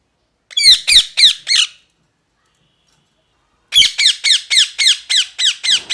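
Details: Parrot screeching in two bursts: four rapid harsh squawks, a pause of nearly two seconds, then a longer run of about eight evenly repeated raspy calls, each with descending overtones.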